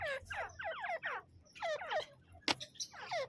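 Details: Male and female Grey francolin, known locally as teetar, calling together: quick runs of shrill, harmonic notes that slide downward, grouped in two bursts separated by a pause, with one sharp click midway and a low background hum.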